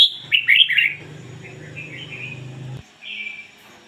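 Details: Red-whiskered bulbul, a decoy bird, singing in the ngoi bổi style: a quick burst of bright, warbled notes in the first second, then softer fluty phrases, over a steady low hum that cuts off shortly before the end.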